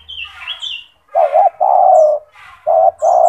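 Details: Loud, strong-voiced gacor turtle dove used as a master for training other doves, giving deep repeated coos: a paired short note, a long drawn-out note, then two more short notes, with faint higher chirps from other small birds.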